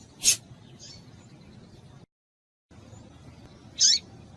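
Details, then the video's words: Female rusty-collared seedeater piping, used to encourage male song: a sharp high chip with a softer echoing note, silence, then a high buzzy chirp sliding downward. "Piado de Fêmea de Papa capim Vai deixar Seu Papa capim Cantando"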